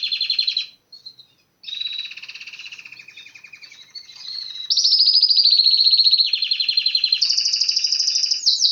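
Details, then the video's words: Canary singing in a continuous run of bright, rapid trills and rolling tours, broken by a short pause near one second, then growing louder with sustained buzzy trills that shift step by step between mid and high pitch. "أروع تغريد كناري"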